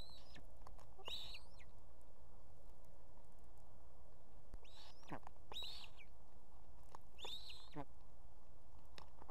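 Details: Osprey female on her Estonian nest beside two chicks, summoning her mate to bring fish, July 2016: three bursts of loud, rising, whistled yelps spaced about three seconds apart, with constant low background noise.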